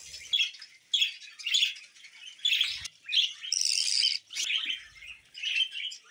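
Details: Pet budgerigars call in short bursts of sharp, scratchy chirps and squawky notes, each burst about half a second long and separated by brief silences.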